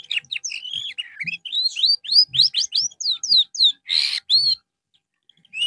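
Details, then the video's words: Canary singing during therapy after losing its singing form: rapid run of bright rising whistled sweeps and short trills, a brief harsh burst near the end, then a pause before one more note. "TERAPI BURUNG KENARI SETELAH AMBROL"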